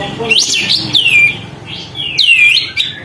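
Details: Sooty-headed bulbul, tail fanned while in full song to stir up other birds, gives clear swooping whistled phrases, each climbing then sliding down, about four in three seconds, with faint low background hum.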